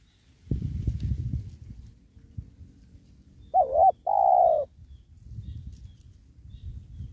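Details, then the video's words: Spotted dove, a penguku-type bird, during trapping of wild doves beside a sacred tree: one two-part coo, a short wavering note then a longer steady purring note, amid low rustling and handling noise before and after. "Bl banggo penguku penghuni pohon kramat"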